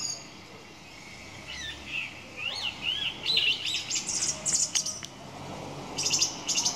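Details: Song thrush singing a run of varied phrases: short whistled and scratchy notes rising and falling, then quick bright high chirps clustered in bursts toward the end.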